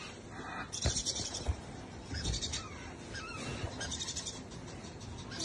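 An African grey parrot chick gives harsh, raspy begging calls in short bursts over a low rumble of room noise and faint voices.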